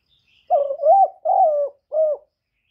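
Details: Spotted dove calling to draw in other doves, recorded directly with no noise: a run of three to four soft, low coos, the first wavering and the later ones steadier, spread over under two seconds.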